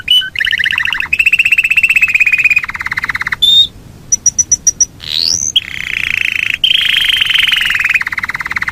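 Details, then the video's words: Yorkshire canary in long rolling song, alternating buzzy mid-pitched trills, a series of short high pips and whistled slides, loud and continuous. "SUARA BURUNG KENARI YOKSHIRE NGEROL PANJANG"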